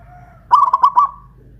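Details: Local Pajajaran zebra dove from Kuningan, West Java, kept caged and hoisted on a pole, singing loudly: one rapid rolling burst of five or six clipped cooing notes lasting about half a second, then a faint trailing tone.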